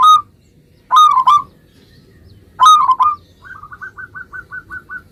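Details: Local zebra dove song, used so that other zebra doves answer: loud paired coo bursts with rising, warbling notes, followed by a quick, softer string of about nine short, clipped coos.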